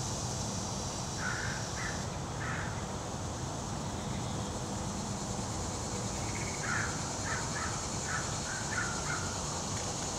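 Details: A fish crow at feeders, drawn by corn at Eagle Creek, gives short, nasal calls: a few early on, then a quick run of about six clipped notes, over a steady outdoor hiss and low rumble.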